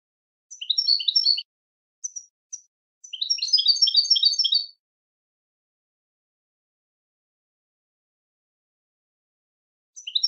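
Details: European goldfinch with short bursts of tinkling, twittery song: a brief phrase, a few isolated chirps, then a longer rapid jangling run, followed by a long silence and one final chirp.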